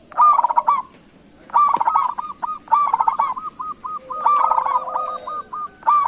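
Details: Local Indonesian zebra dove calling to draw answers from other doves: rhythmic bursts of soft, rolling cooing notes, each burst ending in a string of short separated coos, repeated about every 1.5 seconds over a faint steady hiss.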